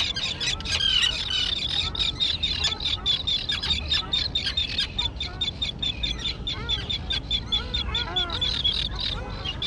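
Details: Fledgling terns in their island colony, now thick with tall grass. Continuous rapid harsh calls, about two a second, overlap with sharper squeaky notes and keep a steady, noisy clamour throughout.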